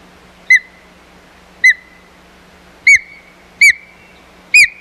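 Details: Hog Island Osprey nest, 4 May 2020, with a fight over the nest: five loud, clear whistled chirps, each followed by a lingering thin tone, growing closer together and slightly higher toward the end.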